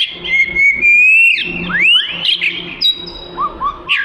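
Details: Melodious song of an Oriental magpie-robin, the black-and-white long-tailed songbird, used as tutor material: a long rising whistle, then swooping slurred notes and shorter upward whistles, varied and unbroken.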